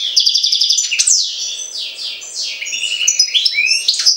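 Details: Lively European goldfinch song from Jagodina, a rushing stream of high, sweet twitters, slurred whistles and short buzzy rattles, delivered almost without a break.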